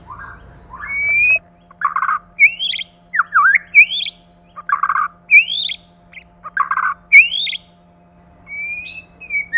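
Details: Male and female White-rumped shama in song: raspy, scratchy bursts alternate with bright rising whistled slurs, the exchange repeating roughly every one and a half seconds, with a constant faint low hum beneath.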